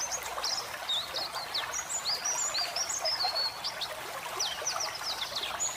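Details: Pet white-eye training song mixed with flowing water meant to relax the birds: thin, high whistled chirps and short slurred notes in quick bursts over a steady trickling-water background.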